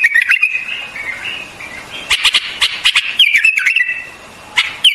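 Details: White-eared bulbul song: a drawn-out wavering whistle opens, followed by bubbly slurred phrases mixed with sharp clicking notes.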